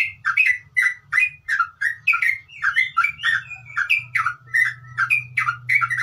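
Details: Continuous 'ngeropel' chattering song of a sooty-headed bulbul: short bubbly warbled notes repeated several times a second, even and lively, with a low hum in the background.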